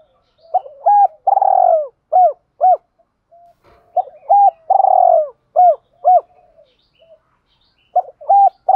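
A spotted dove gives a soft, low cooing phrase of a few rolling hoots followed by a longer drawn coo, repeated about every four seconds.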